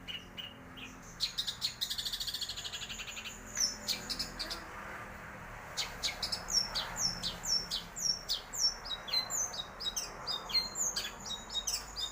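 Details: Caged long-tailed shrike singing a fast, varied stream of high chirps, sharp whistled notes and mimicry-like phrases, with brief pauses and a steady low hum behind.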